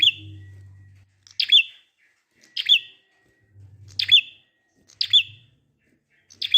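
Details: Prinia singing in the ngalun style, used to prompt silent prinias into song: sharp high chirps sliding down into a short thin tail, given roughly every second, over a low steady hum.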